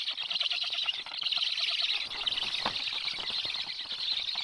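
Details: Black stork family at the nest on 21 July 2022, a parent having brought early breakfast; continuous high, wheezy rasping with rapid rough pulses throughout, a brief louder burst near the middle, with no other clear sounds.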